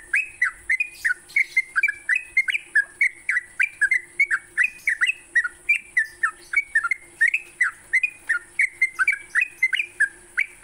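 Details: A sooty-headed bulbul's morning song for songbird training, with continuous chattering whistles repeated roughly three times a second, each note bending up then down, over a steady high hiss.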